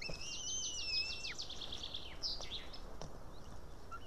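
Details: White-tailed eaglet on an Estonian nest calls to be fed by the adult, June evening: a rapid run of high chipping notes under a sustained thin whistle that drops at the end, then quieter faint calls.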